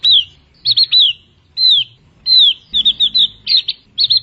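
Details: Javan grey-throated white-eye, a bird of high mountain forest above 1,500 m, singing: high thin whistled phrases, single downslurred notes alternating with quick doubled and tripled chirps, in short bursts about every half second.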